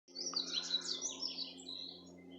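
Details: Wild birds singing in Itatiaia, Rio de Janeiro, Brazil, in February 2020: a rapid tumble of high chirps and twittering notes, sweeping up and down over about two seconds, with a faint steady low hum underneath.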